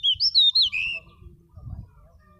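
Pied bushchat giving a quick, sweet whistled phrase of four or five bright notes that rise and then slide down, ending in a drawn-out note; faint low murmur follows.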